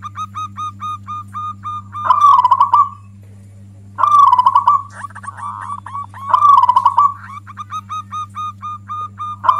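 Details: Loud song of a local zebra dove, a voice said to provoke other doves and to suit luring quiet birds. Three strong bubbling, trilled phrases come about two seconds apart, each trailing into clipped repeated notes, with a constant electrical hum beneath.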